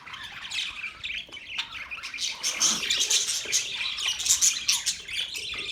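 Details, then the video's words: Budgerigars keep up steady busy chirping, rapid scratchy warbles and high squeaks, roughly two notes per second, without a break. "Beautiful budgies Birds chirping sounds"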